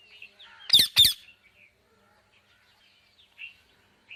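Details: Two loud, grating squawks from a parrot close together, followed by a long stretch of faint, sparse chirps and squeaks.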